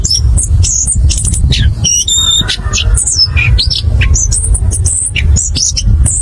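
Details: Rolling ngerol ngeplong song from an orange-headed thrush, used to prompt other birds to sing. Fast, varied high whistles, including a few steady tonal notes near two seconds, run almost continuously above a low hum.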